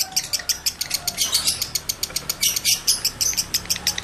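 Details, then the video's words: Male lovebird in heat, played to trigger other cocks: fast, bright, high-pitched chirps in uneven bursts, about three per second, with a couple of short scratchy notes. "Masteran Lovebird Jantan Birahi Tinggi || Pancingan Birahi Lovebird Jantan"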